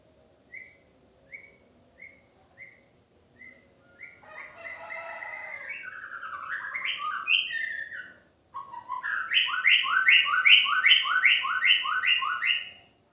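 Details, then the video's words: White-rumped shama song: five short, evenly spaced whistled notes, then a rich, jumbled burst of varied warbling notes, a pause, and a fast run of paired ringing notes repeated about ten times, louder toward the end. "murai batu di umbar"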